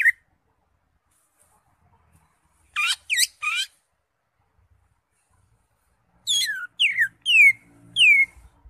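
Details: A caged green leafbird delivers loud, downward-slurred whistles, three close together, then after a silence four more descending whistled phrases, each about half a second long.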